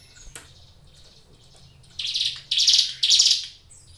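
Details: Caged ciblek gunung prinia heard in a few soft clicks, then three strong, scratchy buzzing notes in quick succession near the end. Low background hum throughout.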